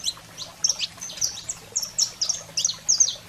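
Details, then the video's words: Saffron finch singing in excited 'fogo selvagem' style, used to fire up canaries: bright, high chirped notes in short clusters about every half second, some with clean whistled peaks, over a faint low hum. "Canário-da-terra Fogo Selvagem para Estimular a Fibra e Foguear seu Canário em Minutos"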